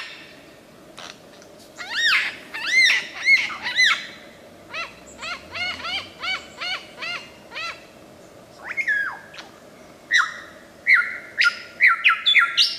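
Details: Superb lyrebird in the wild in Australia, imitating other sounds: a varied run of loud, clear notes, first repeated rising-falling whistles, then sharp downslurred calls and a fast burst of high chips, with steady low background noise.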